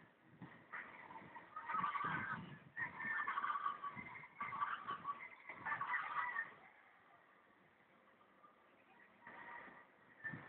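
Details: Guacharacas heard at a distance in a rasping rhythmic chorus, harsh bursts repeated for several seconds, then a quiet lull before another call starts.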